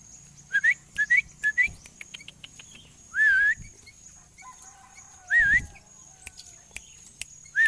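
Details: Tame, chatty sooty-headed bulbul singing: three short rising whistled notes in quick succession, then longer, louder wavering whistles spaced about two seconds apart, over a quiet background.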